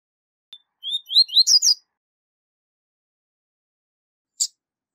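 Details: Double-collared seedeater singing a tui tui zel zel phrase, a tutoring song for young birds: a quick cluster of rising whistled slurs lasting under a second, then silence broken by a single sharp click.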